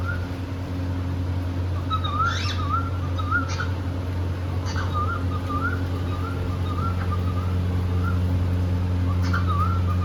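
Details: Pet cockatiel in India singing while playing: a long string of soft wavy whistled notes, evenly flowing, with occasional faint clicks and a steady low hum.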